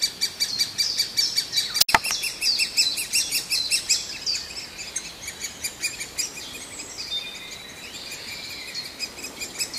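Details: Hungry great spotted woodpecker chick begging: rapid, high-pitched chirps repeated over and over, loud at first and fading somewhat toward the end, with a single sharp knock early on.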